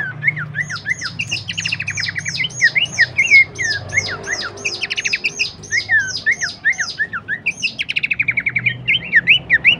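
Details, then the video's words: Horsfield's babbler singing for songbird training: a long, busy stream of rapid high chirps, quick trills and short slurred whistles, nearly continuous, with a faint low hum beneath. "masteran dan pancingan bunyi khas burung pelanduk semak"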